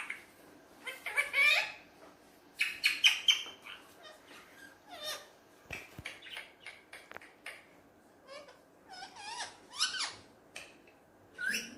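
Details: Hand-tame Alexandrine parrot, kept as a talking pet, playing with a mirror. Irregular harsh chatter and scratchy squawks are spread through the recording, with a few sharp clicks in between.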